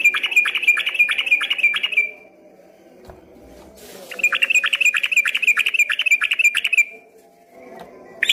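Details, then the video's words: Yellow-vented bulbul singing prolifically in rapid 'ropel' style, at first mistaken from afar for a straw-headed bulbul; two fast bursts of sharp, evenly repeated chips, about three per second, with a quiet pause between. "dari kejauhan di sangka suara burung CUCAK ROWO setelah dihampiri ternyata cuma TRUCUKAN ROPEL GACOR"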